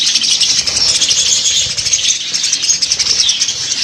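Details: Dense high twittering from a group of budgerigars, an unbroken mass of chirps and warbled notes with no other clear sounds.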